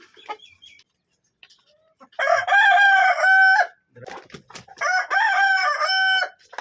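A Kadaknath rooster gives two loud, harsh crows about a second and a half each, the second following after a short pause with some faint clucks and rustling.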